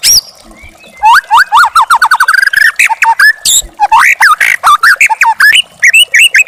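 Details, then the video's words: White-rumped shama, a young forest bird, singing for a tutoring recording: a fast series of short repeated upslurred whistles, then varied chattering phrases with bright rising notes, delivered almost without pause. "masteran burung murai batu muda hutan"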